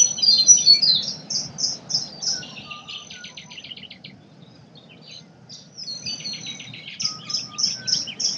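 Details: Chorus of forest birds in Australia: rapid high chirps in bursts, a rattling repeated trill and brief whistles, a quieter pause mid-recording, then a run of evenly spaced sharp notes returning at the end.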